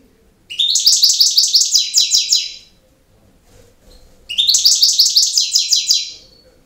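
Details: Campero-style singing by a European goldfinch: two energetic phrases of fast, rhythmic, buzzy high twitters, each about two seconds long, separated by a quiet gap of over a second.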